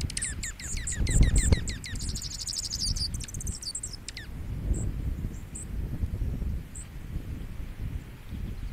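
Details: Junco at -18 °C gives a fast, dry trill of evenly spaced high notes lasting about four seconds, then a few sharp chips, over a steady low rumble.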